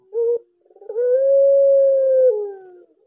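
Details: Barbary dove, kept partly as a watch bird, gives a short low hoot followed by one long smooth sustained coo that sinks slightly in pitch as it fades.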